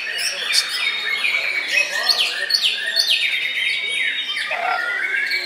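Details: Caged white-rumped shama (murai batu) singing at a bird-singing contest at Gantangan Puspa Agro, Jemundo, Sidoarjo, on Sunday 21 January, where it took second place in the main class; a dense, varied run of high whistled and chattering phrases with sliding notes, continuous throughout.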